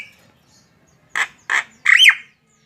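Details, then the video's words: Starling or myna giving two short rasping notes and then a louder arched, slurred squawk. "Suara burung Jalak"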